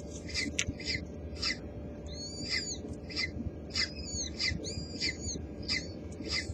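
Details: Peregrine falcon at a nest in Helmond, 19 April 2017, as eggs hatch and the first food is delivered to two young: harsh, raspy calls in an irregular series, some drawn into thin wails, over low traffic rumble.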